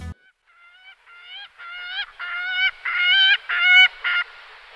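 A gyrfalcon gives a series of harsh, nasal, rasping notes, about two per second, growing louder and more strident toward the end.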